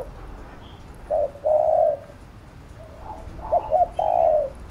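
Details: Cooing of a spotted dove in 'thúc gù' style, used to excite a lure bird and train decoys: two soft mid-pitched coo notes, a pause, then a quick cluster of short coos ending in a drawn-out hoarse coo.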